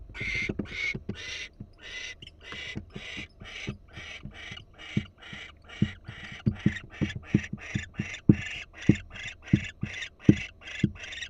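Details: Barn owl at a Florida nest camera, the female alert as if hearing something: long run of rapid, harsh, breathy rasping bursts, about two each second, mixed with sharp low knocks and thumps.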